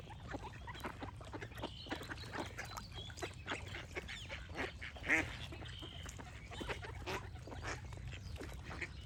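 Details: Ducks calling in a crowded mix of short, honking quacks, one louder drawn-out call standing out midway, amid singing birds and a low steady hum.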